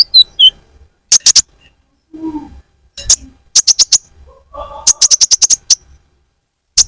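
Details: Lure recording of a sunbird (kolibri ninja) for attracting birds: clustered bursts of very high, rapid chips separated by pauses, with some softer lower chirping between the bursts.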